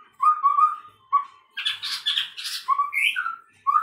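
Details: Song of a chestnut-rumped babbler, called tepus tunggir merah, which can sometimes resemble a white-rumped shama: steady whistled notes, a burst of loud harsh scratchy sounds, then rising and falling whistles.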